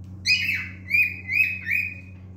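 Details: Male cockatiel singing: a harsh opening note followed by three rising-falling whistled phrases, each with clear overtones, evenly spaced, with a faint steady hum in the room.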